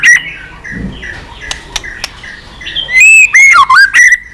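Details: White-rumped shama clicking song used to stimulate pet birds: faint clicks and whistles, then loud, ringing, twisting whistled phrases in quick succession.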